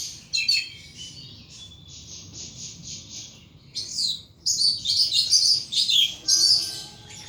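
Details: Pet thrush in ecstatic free song: soft twittering and a thin trill give way to loud, rapid, varied high whistles in quick bursts.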